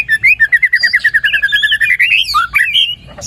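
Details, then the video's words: White-rumped shama in full song, used as a lure to get a quiet shama singing: a rapid run of bright whistled notes repeated about three per second, then rising and falling phrases climbing higher toward the end. "PANCINGAN MURAI BATU GACOR ! BONGKAR ISIAN ! NAIKAN MURAI BATU MALAS BUNYI AGAR CEPAT GACOR !"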